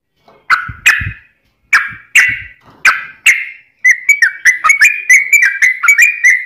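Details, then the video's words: A fast, gap-free sooty-headed bulbul song mixed with straw-headed bulbul variations, used to tutor caged birds and lure wild ones. Several separate rich, downward-slurred whistles come first, then a rapid string of short repeated whistled notes. "Kicau Trucuk T-rex Speed Rapat Tanpa jeda Losss variasi Cucak Rowo"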